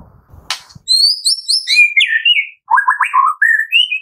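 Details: Prompting song of the white-rumped shama for captive birds, morning to afternoon: a sharp click, then high clear whistles stepping down into lower warbled and rising whistled phrases.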